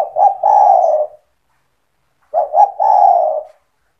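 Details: Spotted dove owned by the keeper, calling eagerly to entice other doves to join in: two clear three-part coo phrases, two quick notes then a long mellow falling coo, about two seconds apart.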